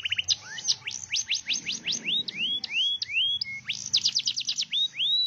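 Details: Canary in full, lively song: rapid upward-sweeping whistled notes, quick trills and bright chirps in varied phrases, loud and continuous with little background.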